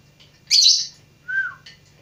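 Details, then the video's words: Lovebird learning to sing: a harsh, shrill chirp followed by a thin, falling whistled note and faint ticking sounds, over a low background hum. "Burung lovebird belajar berkicau"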